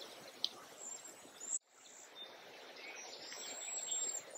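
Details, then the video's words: Soft, very high, thin whistled lisps from a few Cedar Waxwings at Léon Provancher marsh, drawn out in short strands, with a few sharper chirps from other birds nearby. "Jaseur d'Amérique, chant / Cedar Waxwing, song"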